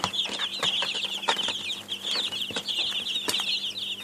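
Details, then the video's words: A brood of chicks peeps steadily, a continuous band of shrill, quick cheeps with almost no pauses, broken by a few sharp knocks and taps and a low background hum. "Baby Chicks sound effects"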